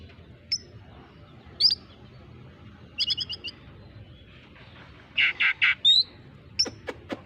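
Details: Oriental magpie-robin singing with mimicry of a squirrel: scattered sharp high chirps, a stuttering trill of rapid clicks, then a run of three loud buzzy chattering notes and a few thin whistles.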